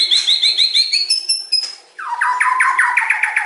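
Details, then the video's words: White-rumped shama of the stone variety, caged for the songbird hobby, pouring out a long varied song: rapid repeated high trills, a clear whistled note, then a run of fast descending slurred phrases. "OCEAN MURAI BATU PASTOL MUNTAH ISIAN PANJANG AUTO CEPAT TERPANCING"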